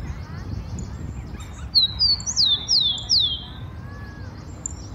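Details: Wild rufous-collared sparrow singing in Brazil, near a park, garden and trees: five clear high whistled notes, each sliding downward, given in quick succession over steady background hiss, with faint distant chirps around.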